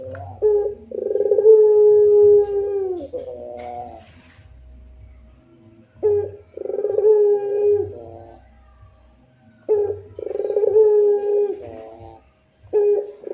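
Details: Barbary dove of the long-cooing pelung type, in a moaning rintihan style. Long, low, steady tonal coos of about two seconds each, with a short rising lead-in, come in three bouts a few seconds apart over a faint low hum.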